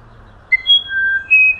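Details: Song of the musician wren, a bird of humid Amazonian forest, heard as a few clear, sustained whistles, one high and steady, one lower and level, then a brief rising note, over faint low hum.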